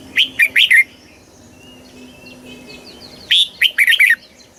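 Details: Red-whiskered bulbul in Thailand, southern master-style song played for exciting bulbuls and tutoring young: two bursts of four to six loud, clear whistles, with faint distant chirping in the quiet gap between them.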